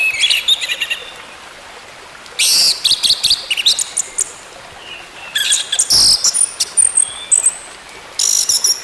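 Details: Orange-headed thrush singing, used to encourage a silent bird to sing again: bright bursts of rapid high chattering notes with sweeping whistles, set apart by short pauses.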